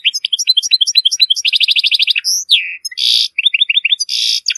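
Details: A Moroccan European goldfinch sings a fast, high, tinkling medley of twitters, buzzy rattles and a few sliding whistles, packed tightly together with almost no pauses; song used for tutoring goldfinch chicks and hybrids.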